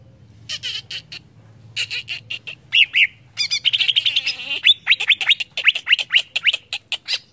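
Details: Greater green leafbird provoking song with harsh squawky chatter mixed into dense, varied chirps and short buzzy phrases.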